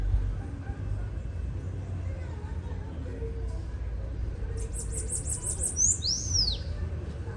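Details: Bananaquit song: after several seconds of low rumbling background noise, a quick series of about seven high, thin notes ends in high whistled slurs that rise and then fall.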